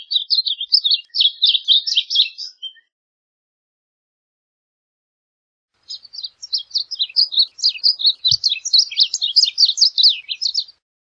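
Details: Two full song phrases from a varied bunting, each a fast, sputtering warble of high slurred chirps lasting several seconds, separated by about three seconds of silence, with a faint click between.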